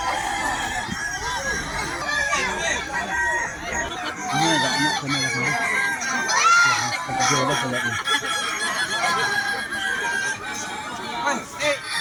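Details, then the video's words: At a West Sumatra contest for Kukuak Balenggek roosters, several drawn-out, stepped crows rise and fall over steady crowd noise, voices and laughter. "lomba ayam kukuak balenggek"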